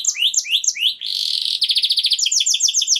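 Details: Canary song for mating preparation of females: three rising whistled phrases, a rough buzzy roll, then a quick sequence of repeated high chirps.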